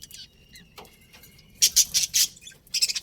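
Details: Budgerigars chirping: after a quiet start with faint tones, a short run of four sharp, high, scratchy chirps comes in quick succession, then a brief final burst of chatter.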